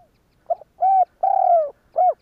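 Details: Close spotted dove coo meant to prompt other doves to respond: a brief stuttered note, a level coo, a long falling coo with a pulsing start and a short final coo, nothing else heard.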